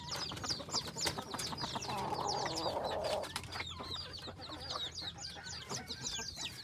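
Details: An F2 red junglefowl hybrid decoy chicken in Phon Thong, Roi Et, Thailand, gives a short, throaty clucking call under a busy layer of rapid, high chirps, probably from other small birds or chicks.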